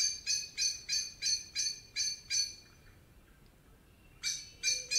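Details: Common blackbird in a forest in Spain repeats sharp metallic chink notes at roughly three per second, seven in a row, falls quiet, then resumes with three more.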